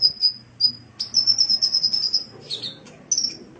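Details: Sunbird song meant for training caged birds: high, thin, sustained trills lasting over a second, broken by short piercing notes and a brief lower warble.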